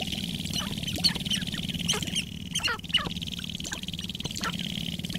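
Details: At Wainwright, Alberta, in 2015, dancing sharp-tailed grouse give quick bursts of sharp, descending chattering calls, several per second at times, over a steady high hiss and low wind rumble.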